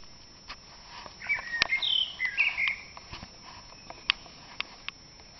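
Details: Common blackbird starting a dawn chorus in April: one warbled, fluted phrase of mid-high notes lasting under two seconds, followed by quiet with a few sharp clicks and ticks.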